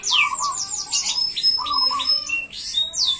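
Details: Energetic F1 canary song, dense and continuous: fast high sweeping trills layered with sustained thin whistles and lower chattering notes, no pauses.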